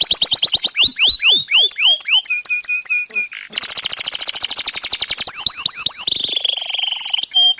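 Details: Canary in full, continuous long song used to prompt other canaries into singing: fast downward-sweeping whistled notes, a steady buzzy trill, then a rapid rattling roll and further sweeping whistles ending in a thin high trill.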